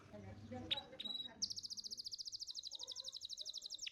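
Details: Canary song recorded as training material for young canaries: after faint low background murmur and two thin whistles, a long rapid trill of crisp high notes runs steadily to the end.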